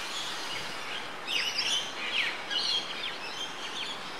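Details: A yellow honeyeater at Port Douglas, Queensland, Australia, on 20 October 2013, gives a quick burst of sharp, high chirping notes, some rising and falling, over steady background hiss.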